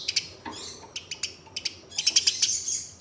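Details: Eurasian tree sparrows in a fight give scattered sharp ticks and chirps that build into a dense, rapid shrill chatter at the end, used as a lure for caged birds.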